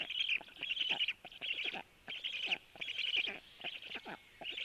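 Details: Black stork nest at 12:01, a male feeding the storklets; buzzy, rasping bursts repeat about eighty times a minute, broken by short clicking and knocking sounds.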